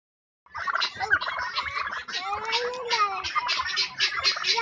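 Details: Several domestic turkeys, seven or eight birds on a farm, fighting; dense overlapping gobbles and harsh chattering calls with rising whistled notes, continuous after a brief silent start.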